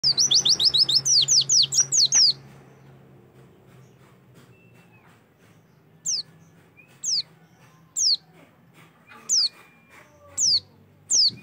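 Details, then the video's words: An Oriental white-eye, used as a lure recording to prompt other white-eyes to start singing, gives a fast run of high, thin chirps for two seconds, then single sharp descending notes about once a second, with a faint background hum. "PANCINGAN AMPUH SUPAYA PLECI LANGSUNG BUKA PARUH"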